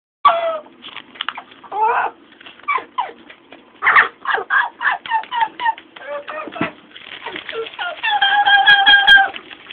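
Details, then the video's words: Pet Amazon parrot named Lora runs through quick squawks, croaks and speech-like babble, imitating sounds such as sirens, brakes, dogs and monsters, finishing with a long, steady, siren-like tone. "Our amazon parrot "Lora" is making sounds"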